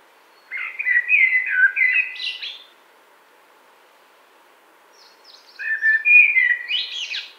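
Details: Common blackbird singing two mellow, fluted warbling phrases about three seconds apart, each sliding through low rich notes and ending in a thin, squeaky high twitter; calm background with no other clear sounds.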